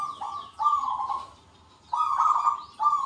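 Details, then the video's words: Local zebra doves singing back and forth with big 'kung' notes: strong, steady, mid-pitched coos with a rolling trill, each about half a second long, separated by a short pause. "PERKUTUT LOKAL GACOR SUARA KUNG BESAR RAMAI BERSAUTAN"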